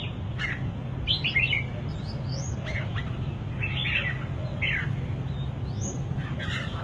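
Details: Red-whiskered bulbul song made of scattered chirpy, slightly squeaky phrases with a few upward-sweeping whistled notes, separated by short pauses, against constant low-pitched background hum.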